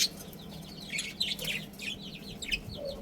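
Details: Budgerigars from a breeding pair and family group chatter in soft, rapid, scratchy chirps and short warbled notes that run continuously through the recording against a low background hum.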